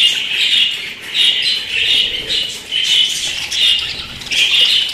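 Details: Kept as pets, budgerigars give steady high chatter: raspy chirping phrases pulse about every three-quarters of a second in an unbroken stream of squawky twittering.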